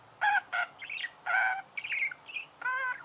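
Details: Budgerigar song of loud nasal harmonic notes alternating with quick twittering chirps, repeated in short phrases.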